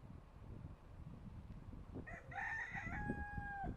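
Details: Rooster crowing after two seconds of rumbling background noise: a harmonic call that breaks into a long, level, sustained final note, cut off abruptly at the end, heard somewhat distantly.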